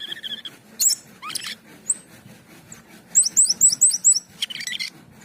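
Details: Asian pied starling (jalak keling), a bird in full song: high whistled upslurred notes repeated quickly in a series, mixed with harsh buzzy chatters and squeaky phrases, low hum in the background.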